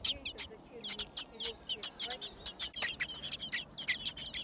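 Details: Nestling thrushes in a garden nest, six in all, begging during feeding. High squeaky chirps in quick clusters from several chicks, with soft lower tones audible underneath.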